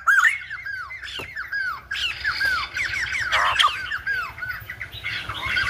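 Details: Silver-headed babbler (Khướu Đầu Bạc) from Vietnam, singing in a style likened to a lumba dancer: rapid, varied run of arched, slurred whistled notes, with some harsher chattering bursts, dense and almost continuous.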